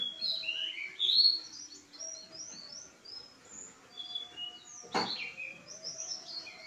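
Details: Pied bushchat song: quick high chirps and short rising whistled phrases tumbling in rapid succession, with faint steady tones below and a single sharp knock partway through.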